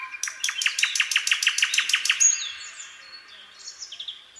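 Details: Common nightingale singing in a quiet spring pine forest: a rapid, loud series of about a dozen identical sharp notes, roughly four per second, followed by softer thin whistles and twittering.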